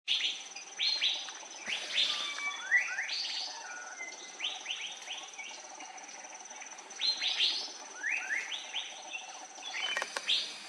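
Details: Andaman bulbul recorded on Andaman Island, India, in March 2020: bursts of quick, sharply sliding chirps in tight clusters, pausing between groups, over a steady thin high whine throughout.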